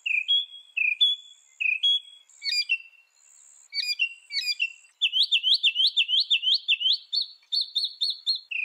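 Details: Northern mockingbird mixing varied phrases: paired whistled notes, sharp clicking calls, then a fast run of upswept notes followed by a quick even trill, showing abrupt changes of pattern.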